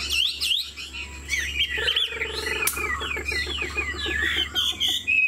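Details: Caged Chinese Hwamei, 90% pure, bobbing its head while singing: bright whistled phrases sweeping up and down, broken by a sharp crack, then varied warbles over a low hum and repeated clicks.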